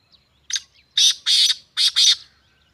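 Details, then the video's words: Black francolin in Sindh, Pakistan, giving a harsh call: a short faint note, then four loud rasping, buzzy notes in two close pairs over about two seconds, in a quiet setting. "Kala Teeter"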